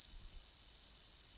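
Black-and-white Warbler song: very high, thin squeaky notes in quick two-note pairs, high then low, repeated rapidly like a squeaky wheel.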